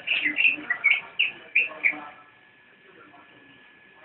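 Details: Javan white-eye in nyinden song: a burst of about eight quick, high chirped notes lasting two seconds, then near silence with a faint hum.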